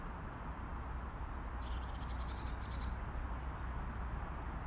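A robin gives a quick run of about a dozen sharp, high ticking notes over roughly a second, over a steady low rumble of wind or distant traffic.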